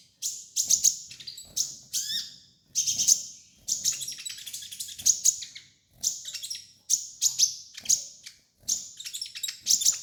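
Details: Sunbird (kolibri ninja) master song for training: high, bright chattering phrases about a second long, separated by short gaps, with quick falling notes and sharp ticks throughout.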